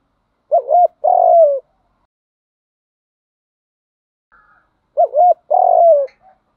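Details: Spotted dove cooing, used as a lure to train birds to coo: two low, mellow phrases, each a short wavering double note followed by a longer sustained coo that slides downward, repeated about four seconds apart, with a faint brief note between.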